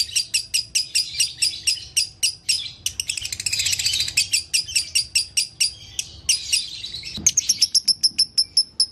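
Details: Caged lovebird utters repeated high chirps that merge into a noisy, chattering passage. After a short pause, a string of clean, evenly spaced chirps follows.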